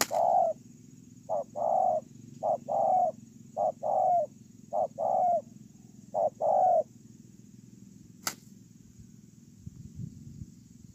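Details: Spotted dove kept as a ground decoy bird, cooing steadily: repeated pairs of a short note followed by a longer hollow coo, about five pairs in a row, then a sharp click and quiet background.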